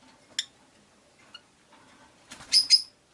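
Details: Rosy-faced lovebirds in a windowside cage, five birds in all: a quiet tick early on, soft background rumble, then two loud, sharp, rising chirps close together near the end.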